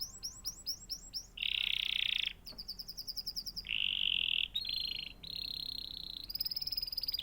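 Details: Canary pouring out a varied song: quick whistled rolls, loud buzzy rattling tours, fast chip series and high thin trills, one phrase after another without pause.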